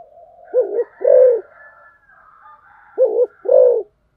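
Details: Spotted dove serving as a decoy bird, two paired phrases of deep mellow coos separated by a pause, over a soft steady high murmur of faint notes in the background.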